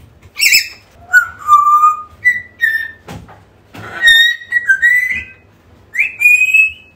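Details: African grey parrot calling indoors, for playback to draw a lost bird home: a run of clear whistled notes, some rising, some flat or falling, changing pitch from note to note, with a short click-like burst midway.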